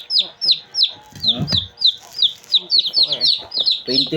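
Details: Two-day-old Shamo chicks peeping: high, downward-slurred cheeps repeated in quick irregular runs, several birds overlapping, with some low rustling and soft knocking underneath.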